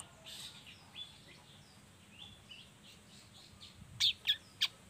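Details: A young spotted (trotol) long-tailed shrike, used as a lure for other young shrikes, practises song: faint, thin twittering notes, then a quick series of three or four loud, harsh, scratchy chips near the end.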